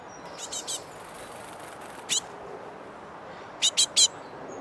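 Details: Young great tits, impatient to be fed, landing on a camera and a person's hand and head and calling. Sharp high chirps come in short bursts: three at the start, one alone, then three quick ones near the end, over steady background hiss.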